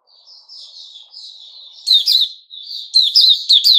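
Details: White-rumped shama kept in captivity, recorded 29 August 2021: quiet, sliding whistled notes build into louder, clipped, high chirps delivered in quick repeated groups.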